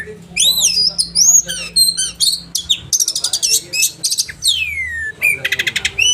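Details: Caged oriental magpie-robin in sharp 'roll tembakan' song for training other birds, mixing looping whistles, dense buzzy rattles and a long descending whistle, with rapid harsh chatter near the end.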